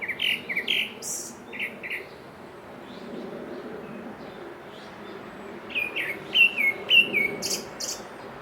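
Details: Grey-backed thrush singing: short clear whistled notes in quick phrases, each followed by thin high squeaky notes, a burst at the start and another toward the end, with a quieter pause between and a low steady background hum.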